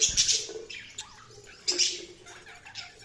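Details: Budgies giving a few high, scratchy chirps in two short clusters over a quiet background hum, with a soft lower note between them.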